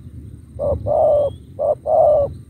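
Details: Spotted dove (Spilopelia chinensis), a caged bird, cooing softly and low in paired phrases, a brief note followed by a longer one.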